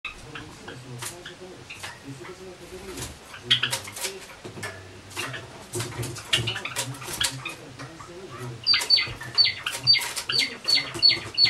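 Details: Indoor pet Java sparrows, a white one sharing a room with free-flying males, recorded 25 October 2013; scattered clicks and tapping give way near the end to a run of sharp, high chirps repeated quickly.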